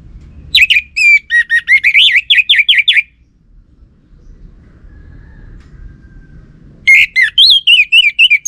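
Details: Caged orange-headed thrush in North Bali, Singaraja, giving a lure song that males are said to answer. Two long bursts of rapid, rhythmic, wavering whistled notes, roughly four per second, separated by several seconds of quiet.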